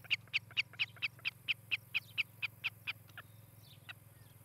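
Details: Osprey at a nest in Charlo, Montana, recorded by nest cam on 18 July 2018, morning: about thirteen clear, piercing whistled chirps in three seconds, then stopping, leaving only a low steady hum.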